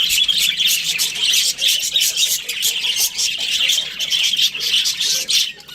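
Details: A breeding pair of Australian budgies keeps up a dense, high, buzzy chatter of rapid chirps that barely pauses.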